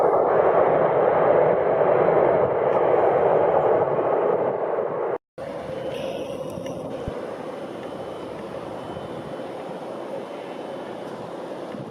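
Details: Steady broadband engine-like rumble, as from a passing vehicle or aircraft, with a brief break midway and no animal calls.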